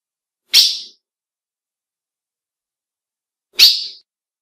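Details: Female ultramarine grosbeak calling to stir up males, two brief high sharp chips about three seconds apart against a silent background.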